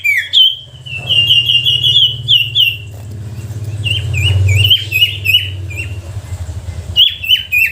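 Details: Sooty-headed bulbul singing as bait to make lazy bulbuls sing: a steady stream of bubbly, down-slurred whistles and chirps, sometimes in rapid runs, above a constant low mechanical hum.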